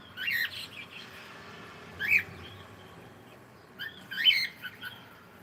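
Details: Pet cockatiel saying good morning: softer scratchy chattering notes, a single short call near two seconds, then a cluster of brief chirps toward the end.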